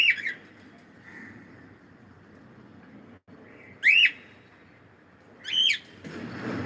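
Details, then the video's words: Pet cockatiel: three loud, sharp upslurred whistled squawks, spaced a few seconds apart, with quiet room noise between them. "Cute Cockatiel singing and sound"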